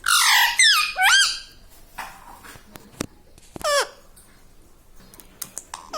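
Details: Talking pet parrot in a small room, known to copy "Mummy" and "Papa"; a loud opening burst of bent, squeaky voice-like notes, then quiet clicks and one more swooping syllable midway.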